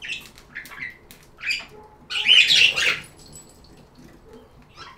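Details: Budgerigar chirps: a few scattered high tweets, then a loud, dense burst of harsh chatter lasting about a second, followed by softer scattered notes.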